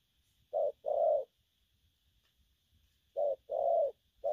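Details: Young spotted dove giving gù phóng coos: two pairs of deep mellow notes, each a short coo followed by a longer rounded one, separated by a quiet gap of about two seconds, with a faint steady hum.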